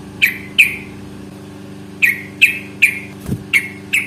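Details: Yellow-vented bulbul (trucukan) fighting song in the long ropel style, used as a lure to make other bulbuls answer: sharp, bright chirps sliding downward, spaced irregularly about twice a second, over a low steady engine-like hum.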